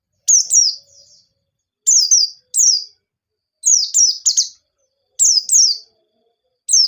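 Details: Energetic 'ngalas nembak' song of a white-eye, played as a lure so untrained white-eyes start singing: piercing high downslurred whistles, delivered as doubled or tripled notes in short bursts roughly every one to one and a half seconds, otherwise quiet.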